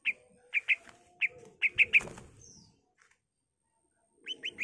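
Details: Greater green leafbird in lively song with imitated phrases of other songbirds; short bright chirped notes repeated irregularly, then a quiet pause before a few more chirps, with faint low background noise.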